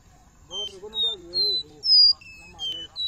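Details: Captive black-bellied seedeater in Recife, Brazil, eating starflower seeds on 30 July 2021, gives thin, pure, high whistled notes, some rising or falling, about one every half second, with a person talking underneath.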